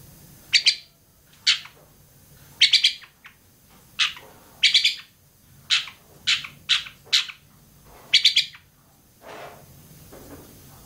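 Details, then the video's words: Long-tailed shrike (cendet) from Bobotsari delivering loud, sharp, dry chack notes, single or in quick pairs, spaced irregularly about once a second, against a quiet low background. "kicau burung cendet bobotsari"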